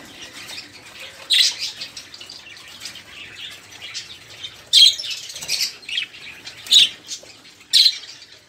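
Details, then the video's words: Noisy budgerigars whose chatter is played to prompt caged songbirds such as canaries to sing; soft background warbling broken by sharp loud squawks roughly every second or two. "Suara Burung Parkit | Parkit Gacor | Pancingan Suara Burung Parkit agar cepat bunyi"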